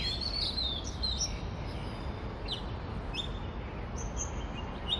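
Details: An Oriental magpie-robin (Copsychus saularis) in Hong Kong sings varied, clear whistled phrases with rising and falling slurs, set against a steady low rumble of background noise.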